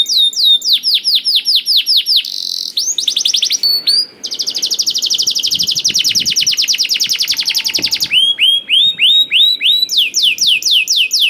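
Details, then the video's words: Lively canary song meant to lure slow-to-sing canaries: repeated arched slurs, a short buzzy roll, a long fast rattle-like trill lasting several seconds, then more rhythmic slurred notes. "KENARI GACOR DOR INI MEMANCING KENARI YANG SUSAH BUNYI JADI IKUT GACOR"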